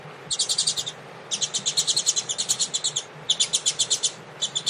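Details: Coleiro, the double-collared seedeater, singing Tui Tui style during warm-up with a female ahead of a song tournament. Rapid, high, bright repeated notes in three or four fast runs, each a second or more long, separated by short gaps.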